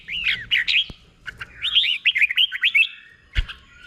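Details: Caged red-whiskered bulbul, slow clear doubled-style song for teaching other birds: a few sharp chirped notes, a pause, then a run of bubbly warbled syllables, and one isolated click near the end.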